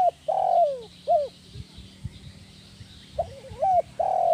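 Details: Spotted dove giving a call used to lure and train other doves: long falling coos and a short arched note, a quieter pause with low clicks and knocks, then a wavering coo and another long coo.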